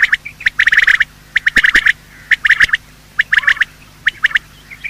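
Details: Quail morning calls from male and female birds, a recording used for quail hunting: rapid clipped notes in bursts of about half a second, repeated roughly once a second, over a low steady hum.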